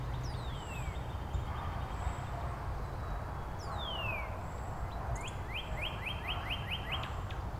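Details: Northern Cardinals in Angrignon Park on March 19, neighbouring birds answering each other with variants of the downward sliding song theme; long whistled down-slurs, then a fast run of short upward slides, with low hum in the background.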